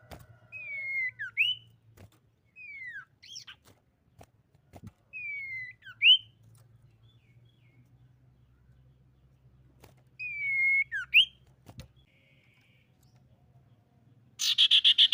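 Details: Female common iora singing, its song used to lure other irioras into calling: separate whistled phrases every few seconds, each a drawn-out note then sharp rising slurs, over a faint low hum, ending in a burst of hiss.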